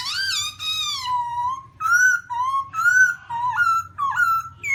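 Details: Black-throated laughingthrush song of long, clear, sustained whistles, some flat, some rising or dipping, separated by short pauses, with a low background hum.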